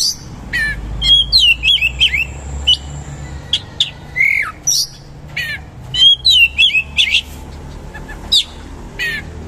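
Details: Oriental magpie-robin singing in a vigorous style with coarse material, rapid shooting rolls and rich fillers: bursts of whistled, upslurred and downslurred notes, sharp chirps and trills clustered in quick phrases with short pauses, over a low background hum.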